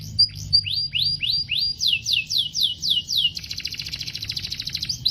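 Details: A canary sings a steady series of rising then falling whistled notes, about four per second, before breaking into a fast, dense buzzy trill; soft low hum underneath.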